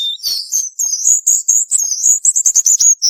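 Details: Cuban bullfinch singing the dense 'tembakan rapat' style for song tutoring: continuous very high warbling, whistled and buzzy, ending in quick clipped repeated notes, with no gaps.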